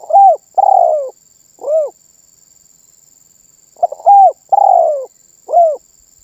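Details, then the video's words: Spotted dove singing with vigour, reportedly getting other birds to call too. Two phrases roughly four seconds apart: short stuttering notes, a drawn-out purred falling coo and a terse rounded last coo. A faint steady hiss continues throughout. "SUARA BURUNG TERKUKUR MANGGUNG GACOR MEMBUAT BURUNG LAIN IKUTAN BUNYI"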